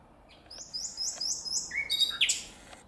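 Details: Common nightingale singing in nature: a series of high, clear whistled notes slurring upward, then lower rising whistles and a sharp, bright flourish near the end, against a quiet background.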